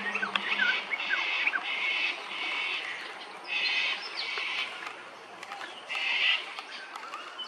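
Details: Lewin's honeyeater at Hervey Bay, Queensland: rapid, machine-gun-like rattling bursts, each under a second, repeated about six times with short pauses, over a steady background hiss.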